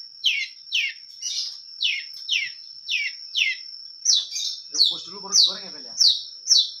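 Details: Long-tailed shrike singing vigorously with clear voice and a full repertoire: high descending slurred notes repeated about twice a second, later joined by a lower chattering phrase, over a faint steady high tone.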